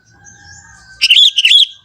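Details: Young wild sooty-headed bulbul from the forest in lively natural voice, no learned insertions: one short bubbly phrase of about six quick liquid, warbled notes rising and falling, following near silence.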